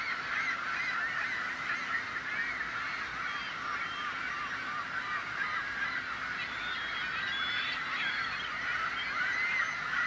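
A dense colony chorus of gulls, with harsh, honking and mewing calls overlapping constantly, several every second, with no pauses.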